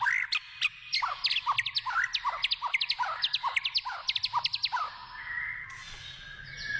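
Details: White-rumped shama singing in the wild, a fast varied run of sharp downslurred whistles and bright chirps repeated in quick bursts, ending with a brief higher rasping phrase.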